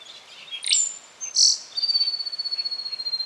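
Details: Rufous songlark singing in Victoria, Australia, September 2011: sharp high sweeping notes, a loud burst, then a long thin steady whistle with a fast pulsing trill beneath it, over a quiet background.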